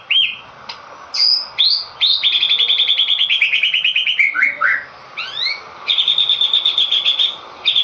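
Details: White-rumped shama, a caged singing-contest bird, delivers a loud varied song: sharp upward sweeps, then a rapid trilled run of repeated notes, a falling slur, and another long rattling trill, close and clear.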